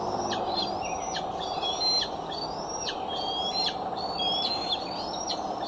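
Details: Bald eagle recorded by the Decorah nest camera on the afternoon or evening of July 6, 2011; rising, thin whistled calls with abrupt falling ends, about one per second, over steady hum.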